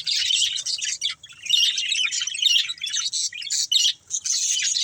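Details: Pet budgies, playing and eating, deliver clusters of quick, high, rasping chirps and warbles separated by brief silences.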